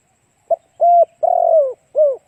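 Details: Spotted dove song used as a lure for other doves: one short opening note followed by three mellow coos, the middle one longest and wavering before it drops in pitch, with silence around them.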